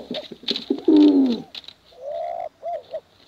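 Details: A male or female contest pigeon gives one loud, throaty downward-sliding coo, then a softer drawn-out hum and two short curved notes, preceded by quick clicks and faint background hiss.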